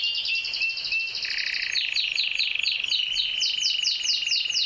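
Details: Canary courting a female with song: a sustained rolling high trill shifting pitch after a second, followed by a run of clear descending slurred notes repeated evenly to the end.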